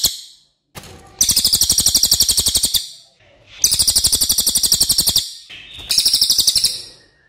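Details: Racket-tailed Treepie song for tutoring songbirds, delivered in three bursts of shrill, rattling notes at roughly four per second, each burst lasting one to two seconds, with quiet pauses between.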